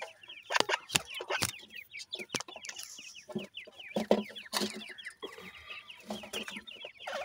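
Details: Newly hatched francolin chicks calling as they feed, many thin peeps sliding downward in quick overlapping series, punctuated by loud dry clicks and taps from pecking.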